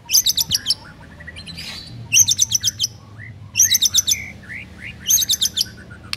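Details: White-rumped shama training song for silent birds. Rapid high trills come in four separate bursts. Between them are soft, scattered slurred notes.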